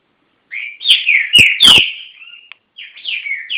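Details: Green-winged saltator kept by an owner in Garça, São Paulo state, Brazil, delivering rapid clear whistled notes that slide downward and upward, followed by a short gap and a second phrase; a few loud knocking clicks sound mid-song.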